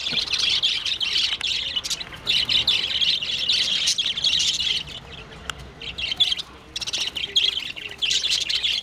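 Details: Parakeets fighting over a nest screech and chatter in harsh, dense bursts of high squawks, pausing briefly before erupting again in noisy squabbling.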